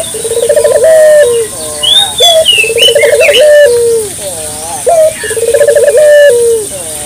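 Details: Local puter dove, used as a lure for morning, midday and night, giving clear, rhythmic rolling coos in repeated phrases, each a stuttered series of low notes ending in a drawn-out falling tone; other birds chirp and trill higher up.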